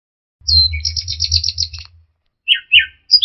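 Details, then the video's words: Orange-headed thrush lure song meant to restart a stressed, silent bird: a dense run of rapid trilled and chattering notes, then two short falling whistles, over a low background rumble. "pancingan Anis merah setres dan macet bunyi"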